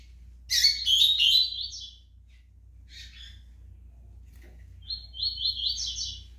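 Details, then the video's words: Double-collared seedeater in brown (pardo) plumage delivering loud, dense, chattering high notes, a short broken phrase, then a steady buzzy trill after a gap. Quiet low background hum. "COLEIRO PARDO CAPONE SOLTANDO CANTO"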